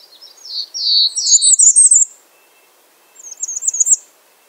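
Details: Bay-breasted warbler opening with lower slurred whistled notes that run into a thin, very high, buzzy trill, then after a pause another short high trilled burst.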